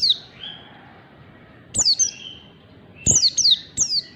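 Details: Pleci (white-eye) practising the rapid ngalas style: scattered high downward-sliding chirps with short buzzy trailing notes, building to a fast run of four falling chirps near the end.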